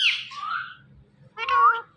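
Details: Indian ring-necked parrot, a talking green pet parrot said to say mummy papa: a hoarse, breathy word-like syllable, then a pause, then a clearer, harmonic, speech-like phrase with a rising tone.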